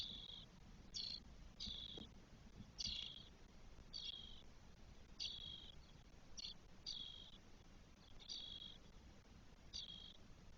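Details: Spotless starling nest in Spain with four 12-day-old young, 1 June 2022. About ten harsh, hissing calls of uneven length, some short, some drawn out, come in irregular bursts that sometimes crowd together.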